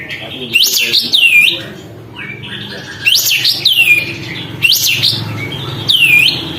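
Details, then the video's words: Lively sooty-headed bulbul with its tail open, singing to provoke rival birds: repeated rich whistled phrases, each with a quick rise and long downward slur, coming roughly every one and a half seconds against a low indoor hum. "kapas tembak gacor buka ekor, untuk memancing emosi burung lain"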